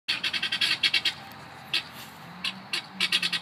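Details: Guineafowl calling in a rapid run of harsh, scratchy bursts, about ten in a row, then a pause and two further shorter series of grating notes, with faint background hum.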